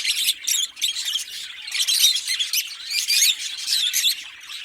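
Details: A green pair of Fischer's lovebirds singing and chirping together: dense, continuous high squeaky chirps and twittering notes, rapid and overlapping, with short harsh squawks scattered through the stretch.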